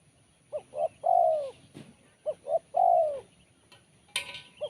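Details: Spotted dove singing 'kuk 1' style with a crisp, sharp voice: two phrases of two short notes plus a long sloping coo, followed by a brief click and the start of another phrase.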